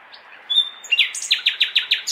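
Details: A city nightingale singing in May darkness, seemingly calling partners: a soft whistle, then a strong note and six loud, evenly spaced, downward-sweeping notes at a lively pace, with faint traffic-like hum behind.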